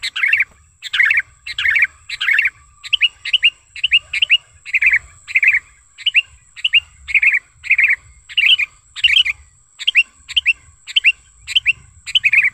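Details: Sooty-headed bulbul giving a natural lure call for attracting and training bulbuls: a steady stream of short, bubbly, slurred whistle phrases, about two per second, each pair of notes dipping and rising, over a quiet background.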